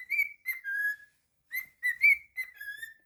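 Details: Pet cockatiel whistling a tune: clear, pure whistled phrases of rising and falling notes, each phrase ending in a long level tone, with a brief silence between the two phrases.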